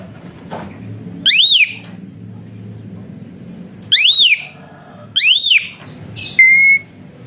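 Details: Caged Asian pied starling whistling, its song used to tutor and stimulate lazy singing birds: three loud arched whistles with rich overtones at intervals of about two seconds, then a short flat whistle, over a faint low background hum.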